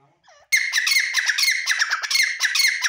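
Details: Male grey francolin (teetar) calling: a loud, harsh, strident run of squawking notes, about four or five each second, with a steady ringing edge throughout; a faint, soft rising note comes just before.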